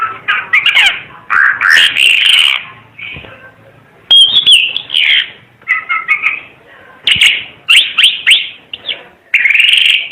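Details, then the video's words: Timor red-eyed bird in full, lively song: bursts of chattering, warbled phrases broken by brief pauses, with a clear level whistle in the middle. "Kicau Burung Ara UNIK Mata Merah Suara Gacor"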